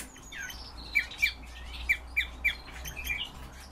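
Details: European bee-eater giving brisk, clipped calls, roughly six loud notes in quick uneven succession, each short and slightly burry, with softer notes between them and low background rumble.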